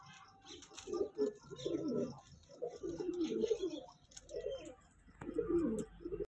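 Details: A young breeding pair of Kanta Kash pigeons cooing. Low, rolling coos come in repeated bursts roughly every second, with faint indoor room noise behind them.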